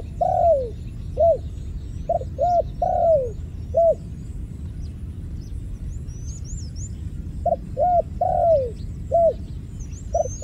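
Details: Low dove cooing comes in repeated phrases. Short clipped notes lead into a drawn-out note that falls in pitch, followed by a pause. Faint thin whistles from other birds sound high above.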